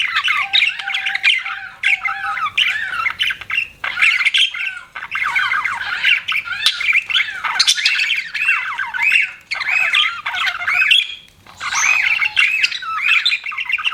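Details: Pet budgerigar chirping indoors: a dense, nearly continuous warbling chatter of quick squeaky notes and rolling trills, broken by brief pauses, with occasional longer steady whistled tones.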